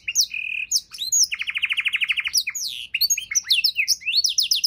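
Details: Canary delivering luxurious 'isian' song for teaching other songbirds: a short flat whistle, sweeping chirps, then a bold rapid trill of about fifteen notes, followed by varied quick chirps and a closing run of high sweeps.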